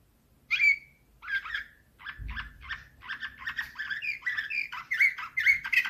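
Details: Nightingale-style Slavujar canary song, 2024: a single sharp whistled note, then evenly spaced chirps that quicken into a continuous bubbling trill, with a soft low knock near the second second.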